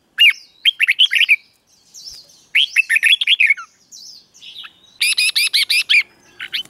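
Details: Cage-kept red-whiskered bulbul in the doubled song style meant for chicks to learn: bursts of quick, bubbly chirped phrases separated by short gaps, closing with a rapid series of harsh, buzzy stacked notes.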